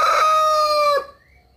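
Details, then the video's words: Rooster crowing: a loud, sustained, harmonic note held about one second, then cut off sharply into quiet. "Galo 🐓 cantando/som do galo !"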